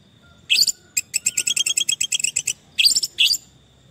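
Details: An orange-headed thrush, in a recording used as therapy for stressed birds that stopped singing, gives a rapid, high-pitched stuttering trill of clipped notes between a few sharper, louder whistles.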